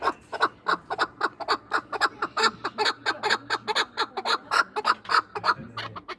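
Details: Chukar partridges from Norak in Tajikistan, two years old and used for hunting, calling in a long even train of loud clucks, evenly spaced, over a low hum of distant voices.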